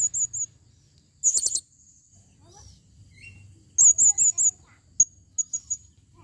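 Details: High, shrill calls of a female blue-crowned hanging parrot, recorded in 2021: a dense rasping burst, then a run of four wavering whistled chirps and scattered thin single notes, with a soft low hum behind.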